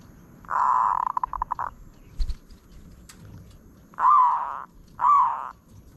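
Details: Zebra dove song: a sustained buzzy coo dissolving into fast staccato beats, a brief click, then two clear rising-falling cooing notes about a second apart.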